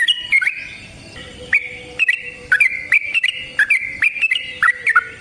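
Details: Yellow-vented bulbul singing a long provoking fight song in captivity, bright liquid whistled phrases in quick succession with crisp clicking accents and a faint steady low hum behind.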